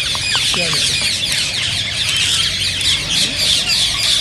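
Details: Dense high-pitched chattering of green ring-necked parakeets, used to encourage singing and mating, continuous shrill chirps with a few faint lower notes early.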